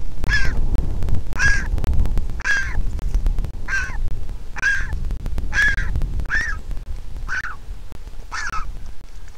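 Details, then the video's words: Griffon vulture chick, hatched 22 April 2021, at a camera-watched nest in Israel, begging for food as its mother arrives to feed it; hoarse, nasal calls repeated about once a second, nine in all, over a heavy low rumble. "Baby Griffon Vulture begs for food and Mom comes to feed it."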